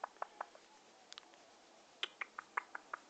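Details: Indian ringneck parakeet, described as in love, chattering indoors: a series of short clicky chirps and squeaky notes, a quick burst at the start, a pause, then a run of evenly spaced chirps about every fifth of a second.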